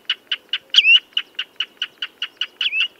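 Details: Common redshank giving a steady series of short, sharp piping notes, about four per second, broken by a brighter rising whistle near the middle and a slurred whistled note near the end; no other sounds.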